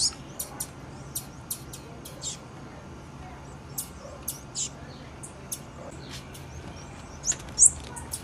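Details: Series of quick, thin, high-pitched ticks and chips from a female blue-black grassquit, fairly frequent early and ending with two louder notes, over a constant low hum.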